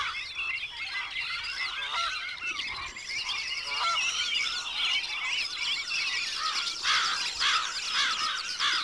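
Mandarin ducks in a busy flock, with many overlapping high, thin whistles and nasal squeaks rising and falling in a constant chatter.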